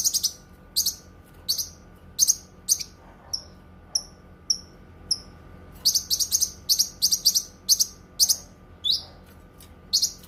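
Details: Cucak kinoi song meant for song tutoring and therapy: spaced buzzy chirps, then four thin whistled notes, then a lively rapid series of high, paired chirps.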